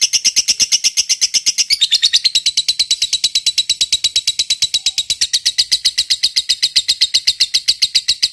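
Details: Fighter lovebird performing a long 'ngekek' trill. Harsh, high, buzzy notes repeat in a fast, even rhythm throughout, with a slight drop in pitch near the two-second mark and no pauses.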